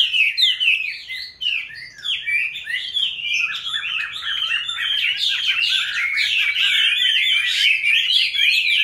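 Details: Caged Chinese hwamei, one of several raised from young birds and now in their fifth year. It gives a rich, fast, varied song of slurred whistles and chirps, the phrases rising and falling and running continuously without a pause.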